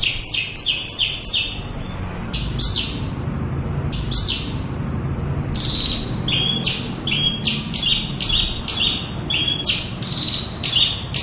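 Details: Javan bush lark, a local Javanese bird, singing its full repertoire: sharp high chirps in quick pairs, then longer sliding whistled notes alternating between two pitches, delivered continuously over a soft low rumble.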